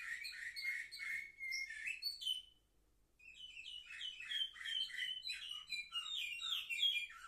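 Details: Seven-month-old canaries on 10 November 2023 sing a warbled phrase of rolling trills, fall silent for about a second, then resume with dense, rapid chirping runs.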